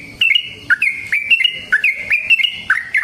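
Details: Trucukan, the yellow-vented bulbul, in energetic 'gacor ngalas' long-running song used to provoke other bulbuls into singing; fast, bubbly chatter of rising and falling liquid notes, closely spaced and unbroken.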